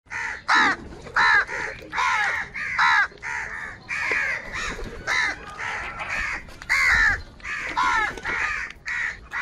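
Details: Many crows calling in the morning while fighting for food: harsh, loud caws given in quick bursts of two or three, overlapping from several birds and repeating almost continuously, with no other clear sounds.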